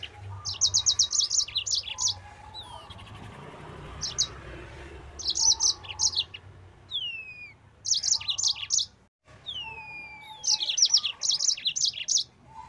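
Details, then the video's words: Yellow-fronted canary in fast, energetic 'nembak' singing, a master recording for training other birds: dense bursts of high chattering trills every couple of seconds, interspersed with falling whistled slurs, a steady faint hum underneath. "Burung Mozambik Gacor Suara Nembak Full Speed."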